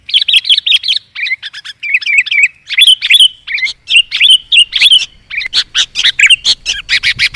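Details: Sooty-headed bulbul young begging, played as a lure: bursts of wavering, slurred high chirps in clusters with brief pauses, ending in a fast run of sharp notes over a clean, quiet background.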